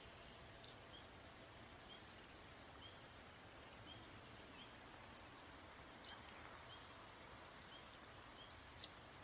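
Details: A Dark-eyed junco (Junco hyemalis) gives three sharp, high call notes a few seconds apart, over a steady, high-pitched pulsing of crickets.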